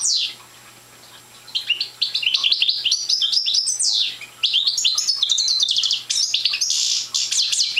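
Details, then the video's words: Silence, then a young goldfinch of the parva race launches into jerky, tinkling twitters, a loud sweeping downslur and a long rambling trill, its song still incomplete, with a low hum beneath. "Young Parva Goldfinch singing"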